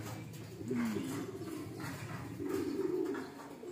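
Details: Loft pigeons cooing: a low throaty coo that dips near the start, then a longer wavering rolling coo later on, over soft background rustle in an enclosed space.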